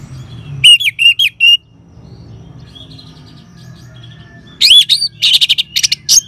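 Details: Ngeban-style singing of an orange-headed thrush, intended to trigger song in caged birds: a short run of wavering notes, a quiet gap with faint whistles, then a dense buzzy chattering burst.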